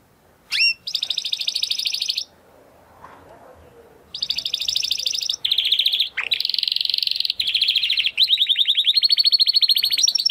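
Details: Male Timbrado Español canary, born in 2020 from rated parents, singing a training song: fast trilled and rattling phrases in bursts, separated by a short pause, ending in a long run of rapid rolling notes.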